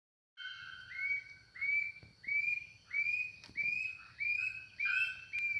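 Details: Brassy-breasted tanager song, with a bellbird said to complete the song: a series of about eight clear, rising whistled notes, each roughly two-thirds of a second apart, over steady high ringing tones and faint low background rumble.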